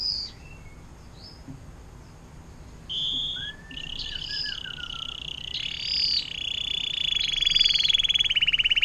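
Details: Canary singing long fountain-water ('air mancuran') song for tutoring magpie robins, green leafbirds and long-tailed shrikes; soft varied chirps and slurred whistles build into a sustained, steadily louder rolling trill.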